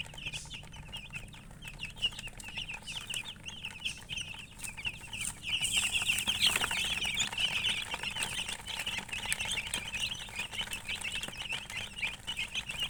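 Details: Chickens with a colored hen: a continuous chorus of high peeps, roughly three a second, swells louder midway, then eases back to steady chirping.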